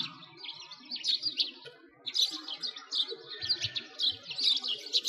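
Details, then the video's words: Winter sparrows chirping near a frozen lake in a Moscow park, Russia; bursts of rapid, bright tweets come in clusters roughly every second, with a soft background rumble of the surroundings. "Sparrows singing"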